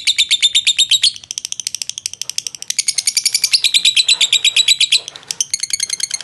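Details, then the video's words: Contest lovebird from Jogja, Indonesia, giving its long 'ngekek' trilling song: rapid high chattering notes about three per second, with brief pauses and shifts in note shape partway through. "Lovebird Kantil Ngekek Panjang"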